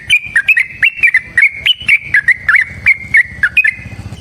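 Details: Yellow-vented bulbul in a gacor ropel song meant to encourage other bulbuls to sing: a steady stream of quick, rising and falling whistled notes, bubbly and continuous, over a faint low hum.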